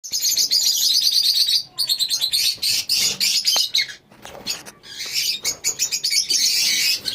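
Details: Lovebirds in a colony; loud, dense high-pitched chattering and squeaky chirps from many birds at once, nearly continuous, with brief dips between bursts.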